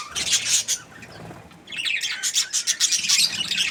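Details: Happy budgie chirping: a burst of bright scratchy chatter, then a quiet second, then renewed rapid twittering and squawks.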